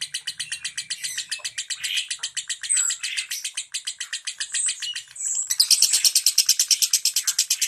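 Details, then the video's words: 'Ngentik' style lovebird song for prompting silent lovebirds: a long buzzy, high-pitched chatter with scattered squeaks, ending in a louder, faster and brighter rattling burst. "Suara Lovebird NGENTIK Rapat"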